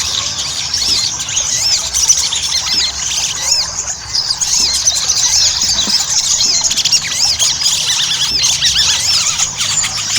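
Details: Ruby-cheeked sunbird song used as a lure to make birds sing: a continuous, high, shrill twitter of squeaky notes and curving slurs, layered densely, with faint soft taps sounding now and then.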